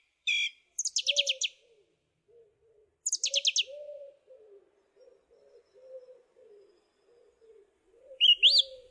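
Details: Song thrush singing bursts of high, scratchy trilled notes separated by pauses, ending with a rising whistle, while a soft low murmuring call continues steadily in the background.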